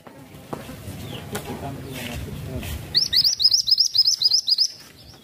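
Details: Masteran bird with a lively series of around ten high, thin chirps, rising flicks repeated quickly and regularly over under two seconds, following soft rustling and low murmur in the background.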